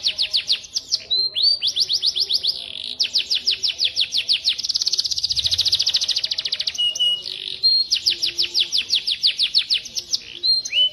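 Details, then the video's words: Masteran featuring cucak jenggot, cililin and canary: long, loud volleys of quick, high downslurred notes, interrupted midway by a dense buzzing trill, then resuming the rapid falling series with occasional short whistles. "masteran cucak jenggot cililin kenari"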